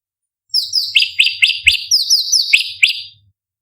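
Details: Cucak cungkok bulbul singing a lively, high-pitched song used to train competition birds: rapid sharp whistled notes sliding down, repeated about twice a second with varied phrasing, over a faint low hum.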